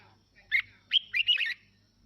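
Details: Red-whiskered bulbul song, played to stimulate other birds to sing along and get fired up: a brief burst of three or four quick, slurred whistled notes with a buzzy edge, over a faint low hum.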